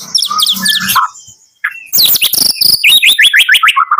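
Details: Morning song of a white-rumped shama of the Medan type: chattering high notes and low whistles, a brief pause, then a fast run of rising and falling whistled notes repeated several times a second.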